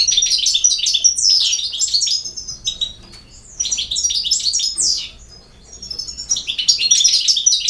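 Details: Sustained European goldfinch song, loud and close, a jumble of quick high twitters, buzzy trills and descending slurs in three rolling phrases with short dips between them.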